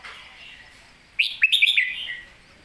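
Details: Red-whiskered bulbul giving a master-song (phleng mae bot) phrase: after a second of faint background, a single rapid run of clear, bouncing whistled notes that trails off into a softer, falling warble.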